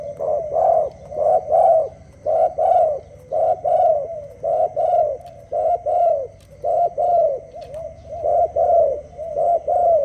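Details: Dove singing in the early morning: loud, low coos in steady pairs and short runs, close to one a second throughout, with a faint constant hum behind.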